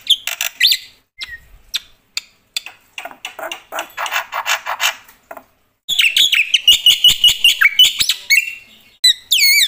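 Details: A black-winged myna singing loudly with a full range of fill notes: scratchy chatter and clicks, then a burst of high whistles and bright trills.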